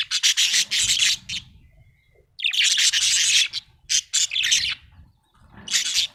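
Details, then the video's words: Happy budgie chirping in loud, dense bursts of scratchy chatter, separated by short quiet gaps, with faint low rumble underneath. "Happy budgie chirping sound"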